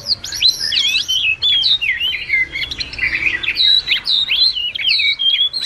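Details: Twittering wagtail summoning the flock, recorded as a trap lure; fast babbling whistles and chirps in unbroken flow, with sweeping falling notes and brisk high squeaks.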